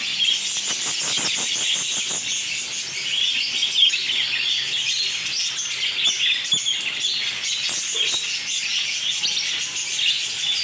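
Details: Home-bred African lovebirds, chicks during breeding, in captivity: dense, continuous high-pitched chirping and twittering from several birds, overlapping without pause throughout, with scattered soft clicks and rustles beneath.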